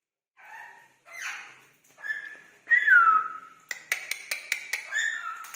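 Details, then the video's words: Indian ringneck parakeets greeting each other: short speech-like syllables, a loud downward-sliding whistle, then a quick series of sharp clicks and chatter. "Talking Parrots Exchanging Greetings With Each Other"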